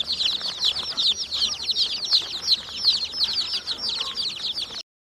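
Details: Baby chickens chirping in a continuous shrill chorus of rapid, overlapping peeps that ends abruptly in silence shortly before the finish.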